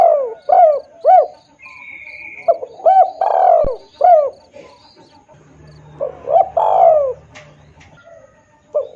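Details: Spotted dove lure sound: a series of mellow, arched coos and long, falling croons, with a brief high whistle, a sharp click and a low hum midway.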